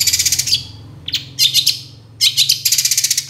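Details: Long-tailed shrike master song for training songbirds: dense, buzzy, very high trills in bursts separated by short silences, with a steady low hum beneath.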